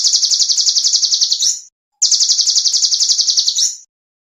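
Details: Song of a small songbird intended for training champion songbirds: two loud, clean, very high rattling trills, each about one and a half seconds long with a slight upward flick at the end, separated by a brief pause.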